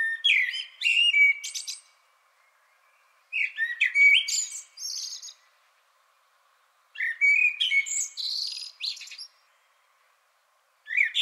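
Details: Common blackbird song, sung faster than a song thrush's, in continuous blocks. Each block opens with a few melodious, low, flute-like whistles and closes with a short, higher twitter. Three full blocks are separated by gaps of silence, with a fourth beginning at the end.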